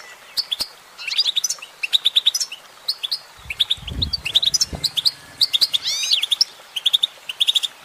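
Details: A goldfinch, said to be a female, sings a fast, rambling twitter of bright, tinkling notes and short trills, with a brief low thump partway through.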